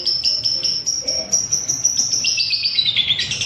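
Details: Lovebird recorded for training caged birds, giving a continuous high, rapid chattering stream of clipped notes that gradually slides lower toward the end, with a brief lower squeak near one second.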